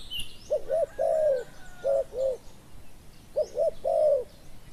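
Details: Spotted doves in a decoy session, a captive dove luring a slow-arriving wild dove with a small voice; two cooing phrases, each two short coos then a long crooning note, with faint high chirps of other birds.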